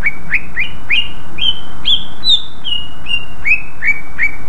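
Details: Used to lure other greater green leafbirds into responding, this loud song mixes sharp chirps with longer sliding whistles that fall in pitch, delivered at an uneven pace.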